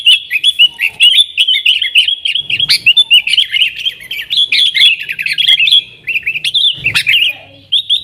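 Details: Nggaruda-style song of a yellow-vented bulbul, a lure for wild sooty-headed bulbuls: fast liquid chirps and twittering phrases running almost nonstop, with a few sharp snaps.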